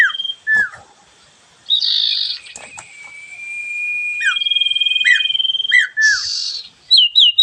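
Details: Energetic song of a sooty-headed bulbul (sirfu): sharp downslurred whistles and harsh buzzy bursts alternate with a long, finely pulsed whistled trill and quick looping chirps at the end.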